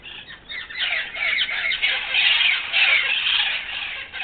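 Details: A huge flock of wild parrots visiting a yard in Los Angeles, which they do about once a month: dense, continuous, overlapping harsh screeching squawks from many birds at once, steady and loud throughout.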